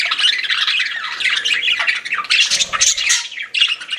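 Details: Several pet budgerigars chirp and chatter continuously, a dense mix of scratchy warbles, squeaks and harsh notes, with a brief low rattle partway through.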